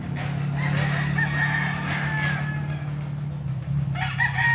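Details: Crowing from a rooster kept at a friend's place, heard thinly and at a distance beneath a strong, constant low humming noise, with a brief sharper call near the end.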